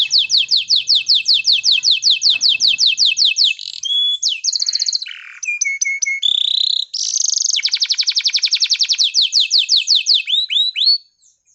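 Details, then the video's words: A breeding-condition canary sings to call a female, opening with a long fast trill of rising notes, then buzzy and clear whistled phrases, another rapid rolling trill, and closing slurred notes before falling quiet. "suara burung kenari birahi panggil betina"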